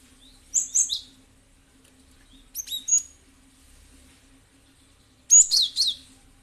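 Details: Lure recording of a cinereous tit (gelatik batu) meant to draw a reply from other birds; three short bursts of high, bright, slurred chirps, each of two to four notes, spaced a couple of seconds apart, with a soft background hum.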